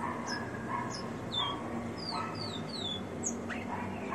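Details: Captive ringed rufous-collared sparrow singing a little: a run of thin, high, downslurred whistles, some paired, spread across a few seconds over steady broadband background hiss and lower murmuring sounds.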